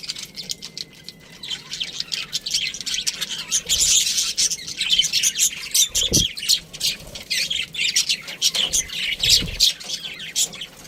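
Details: Pet budgie chattering continuously: dense, rapid, scratchy high chirps and warbles running throughout, with a couple of soft low thumps.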